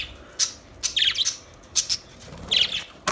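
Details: Budgerigars giving short, high chirps and brief warbled notes, spaced by gaps of about half a second, over a quiet background.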